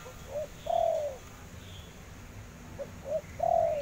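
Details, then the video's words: Spotted dove cooing outdoors: a soft short note followed by a longer, falling, hoarse coo, the pattern repeated after a pause, over steady background noise. "Suara Derkuku"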